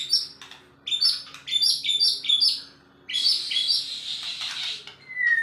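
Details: Male white-rumped shama in an agitated, frenzied state giving high, sharp chirping notes in quick repeated runs, ending in a thin, drawn-out whistle, over a faint steady hum.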